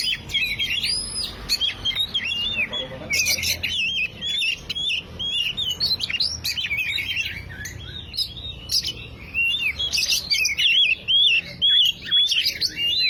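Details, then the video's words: Lure recording of an oriental magpie-robin for a bird that has stopped singing: repeated arched whistled notes about twice a second in lively varied phrases, with brief gaps and sharp clicks. "Pancingan kacer macet // PANCINGAN bunyi burung kacer macet."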